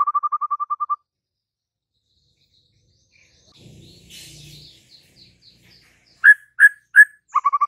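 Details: White-rumped shama song with a quick train of repeated notes, a long pause with faint rustling, then three separate loud whistled notes and another short rapid note series.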